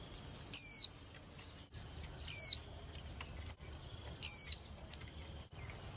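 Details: Young female white-eye, kept to stimulate male contest singing, giving three high, piercing, downward-sliding whistles at roughly two-second intervals, set against a faint continuous high tone and light background hiss.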